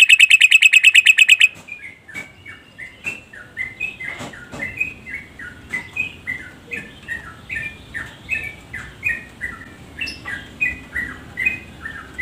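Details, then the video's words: Female yellow-vented bulbul calling to a male: a brief rapid chatter, then many short bubbly chirps repeated about three times a second, rising and falling in pitch. "Trucuk betina memanggil jantan AMPUH merangsang jantan ikut bunyi gacor"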